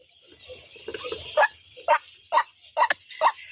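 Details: White-breasted waterhen calling: a few soft irregular notes, then loud, clipped, croaking notes repeated about every half second, over a steady high insect-like hiss.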